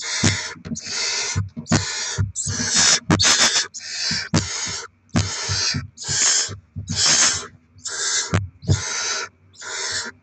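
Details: Loud barn owl hissing during rodent deliveries and chick feeding, 07/02/2024: about fifteen rough, breathy bursts follow each other almost without pause, each under a second, with soft knocks beneath.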